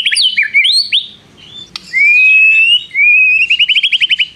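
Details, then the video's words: White-rumped shama in full song, mimicking prinia trills: quick looping whistles, a pause, then a long smooth rising whistle followed by a rapid, even trill of clipped notes. "MURAI BATU GACOR ISIAN nembak prenjak tirrr panjang2"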